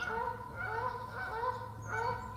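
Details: Two pairs of wild Canada geese in a territorial dispute, flooded riverside forest wetland at Parc de la Frayère, Boucherville, near Montréal, 25 April 2026, calm chilly day: rapid series of nasal honks, about two per second, over a low steady hum.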